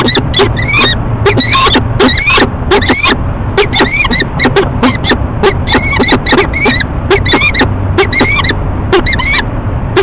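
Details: Two peregrine falcons in courtship at a nest box high on a city building in Rochester, New York, March 2011, morning; rapid series of loud, rasping ee-chup notes, many per second, over a constant low mechanical drone.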